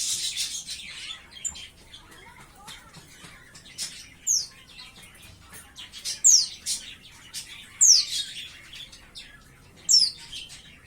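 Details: Captive young white-eye (pleci), about 5–6 months old and beginning to learn its song, gives sharp, high, falling whistled notes every one to two seconds, about four in total, over soft rustling and faint background hiss.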